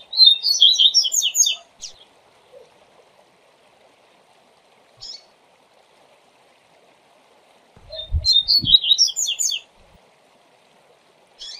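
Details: Double-collared seedeater tutor song in the viu viu zel zel zel style, used for training young birds: two bursts of quick, high, sharp chirping notes about seven seconds apart, with faint isolated chips between and a low thump.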